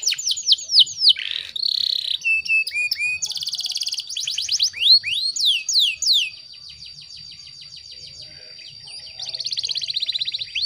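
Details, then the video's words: Canary hen in breeding condition, calling to attract a male. Fast trills and sweeping down-slurred whistles, then a quieter stretch with a thin sustained high tone before another rapid rattling trill. "PANCINGAN KENARI BAHAN AGAR CEPAT GACORR"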